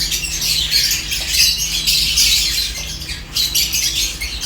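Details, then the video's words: Seventeen lovebirds eating corn together, giving a dense, continuous chatter of high, scratchy chirps and squeaks from many birds at once, over a steady low hum. "17 Lovebirds Enjoying Corn with Peaceful Chirping sounds"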